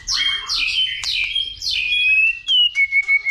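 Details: White-rumped shama, roused to fighting song, gives loud sweeping downslurred whistles followed by a long clear whistle and a series of short rapid notes.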